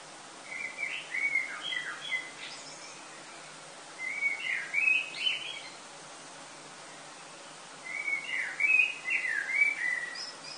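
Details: Summer pre-dawn blackbird singing in Lille, France, early August: three rich fluted phrases about three seconds apart, each a rolling whistle that ends in a high scratchy twitter, above soft steady background noise.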